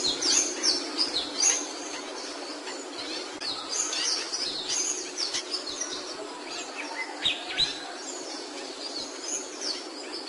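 A capuchino seedeater sings a fast, high run of chirps and short twittering notes, several a second, over a steady hiss of background noise.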